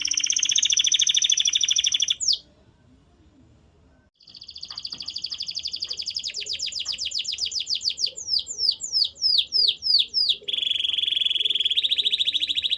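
Canary song: dense buzzy rolls and rapid high trills, then a brief pause, sweeping repeated whistles every half second, and another fast rattling trill.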